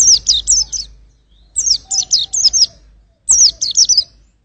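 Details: White-eye giving three bursts of rapid high chirps, each a tight series of bright twittering notes, separated by short gaps; a faint lower whistle sits beneath in the middle.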